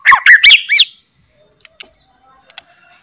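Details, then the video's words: White-rumped shama in top singing form, its loud chattering and sharp whistling meant to provoke other shamas into singing: four loud buzzy rising-and-falling bursts packed into the first second, then faint scattered ticks and short whistles. "CETREKAN,& OCEHAN MURAI GACOR., MEMANCING BUNYI, MURAI BATU LAIN NYA"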